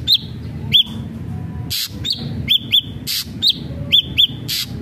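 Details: Ashy drongo whistling in small groups of one to three arched notes, separated by loud click bursts, against faint low background hum.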